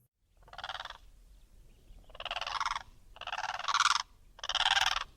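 Blue Crane giving four loud, harsh, rattling croaks, each under a second long, spaced about a second apart; background otherwise quiet.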